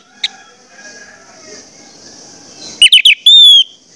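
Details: Orange-headed thrush song used to prompt other birds of its kind to sing: after a quiet stretch with faint background hiss, a quick run of loud choppy notes ends in a long, bright whistle that slurs downward.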